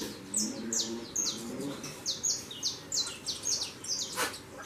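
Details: Saffron finch fledglings leaving the nest and taking flight: a quick run of short, high, downslurred chirps, several each second, over a low murmuring background.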